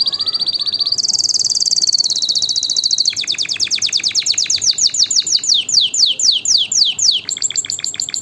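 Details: Singing canary, a song meant to excite females for mating and tutor chicks: a dense, high, fast trill gives way to a long series of downward-slurred notes, about four each second.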